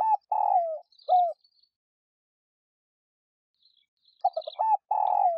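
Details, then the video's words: Spotted dove lure cooing for captive doves: the tail of one phrase with a long buzzy falling coo and closing note, a silent gap with faint high chirping, then a new phrase of short notes and a long coo. "Cu gáy kích bổi nhanh nổi / cu gáy gọi / tiếng cu gáy mồi"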